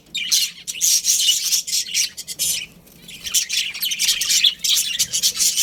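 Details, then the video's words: A colony of budgerigars keeps up continuous high, grating, scratchy warbles. Loud chatter fills the start and end, with a softer dip near the middle. "Cute Budgies Chirping Sounds"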